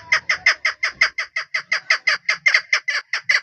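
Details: A local female chukar partridge from a hunting setup calls loudly and rapidly, about seventeen harsh chuk notes in just over three seconds, with a faint low rumble in the background.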